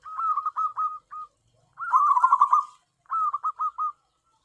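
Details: Local tame zebra dove used for luring gives three phrases of quick, soft, trilled coo notes, the middle phrase louder and denser, separated by brief silences.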